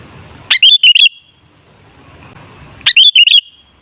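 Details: Sooty-headed bulbul lure song: two longer bubbly whistled phrases of three or four linked rising-and-falling notes, about two and a third seconds apart, each fading into a ringing tail.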